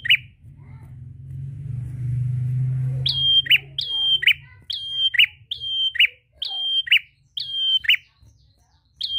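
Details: Prinia, called prenjak, singing to call a rival: sharp high notes, each with a quick upward flick, repeated at a steady pace more than once a second after a low rumbling hum at the start.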